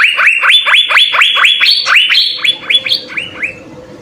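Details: Blue-winged leafbird's ngekek jamtrok song, used as a training model: loud run of ringing upswept notes that fades after about three seconds into quieter notes over a low murmur.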